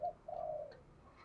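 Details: Spotted dove decoy call meant to set a caged decoy cooing fast: a short soft coo then a longer falling hollow note, quiet against low background rumble.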